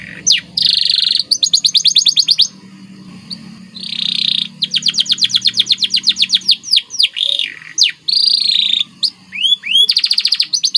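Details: Masteran training song of a white canary in gacor style: bursts of very fast rolled trills separated by short pauses, a buzzy mid trill, and upward-curving whistled slurs near the end.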